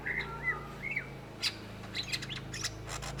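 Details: Greater green leafbird, known in Indonesia as cucak ijo, singing in a gacor style: brief high whistled slurs and sharp chips, with a steady low hum underneath.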